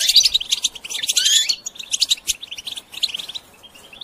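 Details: Goldfinch singing as training stimulation for songbirds, opening with loud tumbling twitters and a buzzy rising phrase, then lighter chirps that fade to quiet near the end.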